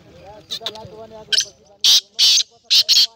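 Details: Black francolin (kala teetar) recorded 19 April 2020, giving a burst of four to five loud, harsh rasping notes in quick succession near the end, after softer scattered notes, with music playing faintly underneath.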